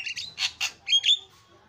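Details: Javan myna in a busy, noisy recording: harsh squawks and rasping bursts, then two sharp, pure whistles near the end.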